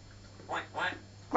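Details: Female African grey parrot indoors, in a hyper mood, imitating a duck: two hoarse, nasal quacks about a third of a second apart, followed by a louder sound starting at the end; steady low hum underneath.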